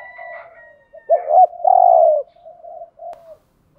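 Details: Spotted dove used as a decoy, cooing to draw other doves: faint soft coos, a sharp doubled accent, a long throaty coo, then trailing soft notes.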